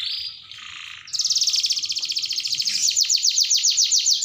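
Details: Panda canary in full rolling song, long bursts: a short buzzy opening, then a fast, even trill of repeated high notes that swells in loudness and runs to the end, roughly three and a half notes a second.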